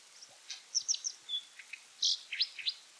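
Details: A Brown dipper (Cinclus pallasii) in Japan in late November sings repeatedly to claim territory: a quick, varied run of high, scratchy chirps and bright whistled notes, several phrases within three seconds, over quiet background.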